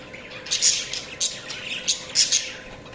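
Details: Budgies chirp in short, bright, squeaky bursts, several sharp high notes spaced about half a second apart, with soft chatter between them.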